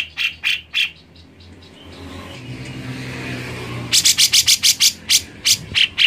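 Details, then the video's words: Played to make another bird sing, this grey-cheeked bulbul gives a few chirps, pauses over a low rumbling background, then bursts into a fast series of about a dozen sharp, scratchy notes. "Cucak Jenggot Malas Bunyi ? Play Burung C.Jenggot Ini"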